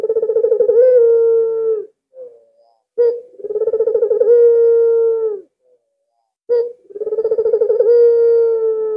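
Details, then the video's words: Three rolling coos from a captive albino Barbary dove valued as a vocal lure for other doves, each pulsed then held and falling slightly, separated by quiet gaps with faint soft notes. "BURUNG PUTER ALBINO SANGAT GACOR cocok dijadikan pancingan"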